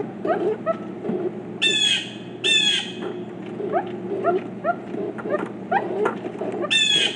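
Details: Group of four pileated woodpeckers: three loud, harsh, nasal squawks, two close together and one near the end, amid softer clucking and chattering notes and a steady low background rumble.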